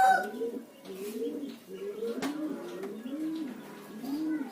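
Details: Spotted dove, used as a lure call to set other doves calling, giving a run of low, soft, rounded coos in overlapping phrases, with faint room noise and a brief click.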